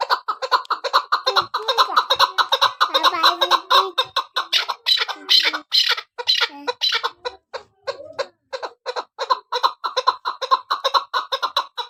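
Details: Chukar partridge, described as a hunting female's call, giving rapid overlapping series of harsh clucking chuck notes with bright overtones, roughly two per second or faster, dense and slightly irregular, with short pauses near the middle.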